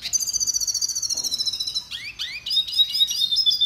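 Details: Song-training recording of a red siskin, an endangered finch of northern Colombia and Venezuela: a long rapid buzzy trill, then upward-sweeping slurred notes and a jumble of high twitters.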